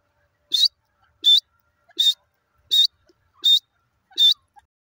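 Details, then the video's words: Francolin (teetar) giving six loud, sharp, high-pitched notes evenly spaced about every three-quarters of a second against a quiet background. "teetar awaz"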